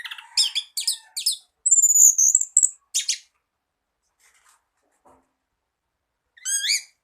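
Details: Tutor song of an orange-headed thrush (anis kembang), used to coax birds reluctant to sing. Quick bursts of scratchy, buzzy notes and a thin high whistle, then a pause before one last rising, quavering phrase.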